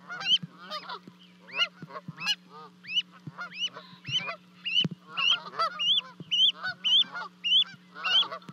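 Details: Goslings call on 12 May 2020 in Charlo, Montana, after two jumped from a lofty osprey nest to their parents, captured by a livecam. Piercing, rising peeps grow more frequent toward the end over a steady background hum.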